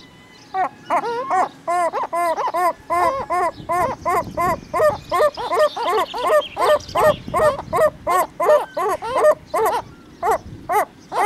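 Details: Herring gull in the breeding colony calling in a long, fast series of loud, nasal, harmonic notes, about two to three each second, each note bent and strongly stressed, with overlapping voices keeping a steady rhythm.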